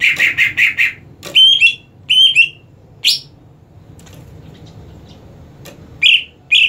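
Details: Greater green leafbird prepared for singing contests utters four quick harsh notes, then scattered clear whistled slurs and sharp chips spaced over several seconds.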